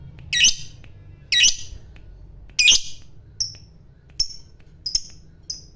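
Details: Lovebird calling: three harsh, rasping high squawks about a second apart, then a string of thin, short high chirps.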